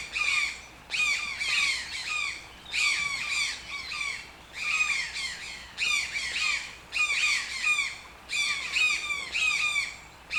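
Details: Toucan squawking loudly in regular groups of three or four quick, downslurred nasal croaks, the groups separated by brief pauses of about half a second.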